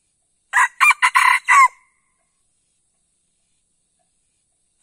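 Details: Red junglefowl crow used as a lure call for trapping: one short, clipped crow of about five hoarse, choppy syllables, ending abruptly, then silence until another crow begins at the very end.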